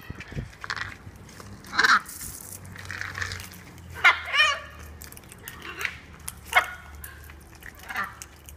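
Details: Wild macaws in their natural environment, flying and eating, give harsh, raspy squawks in scattered bursts, about every second or two, with a low background hum.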